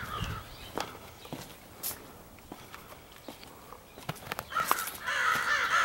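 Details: Crows of a large extended group, possibly selecting mates, give sparse distant caws over faint clicks and rustles, then a loud burst of overlapping cawing near the end.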